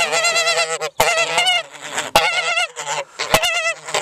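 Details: Rowdy geese on a farm blare out repeated harsh honks in bursts of roughly a second, separated by loud knocks.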